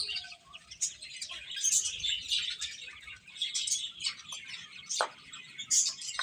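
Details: Young chicken chicks giving high-pitched chirps, many birds calling at once in overlapping, uneven bursts with a few sharper single peeps standing out.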